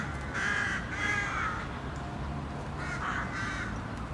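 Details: City crows calling: two bursts of harsh, hoarse caws, the first a run of three to four notes, the second a shorter pair a second later, over a low steady urban rumble.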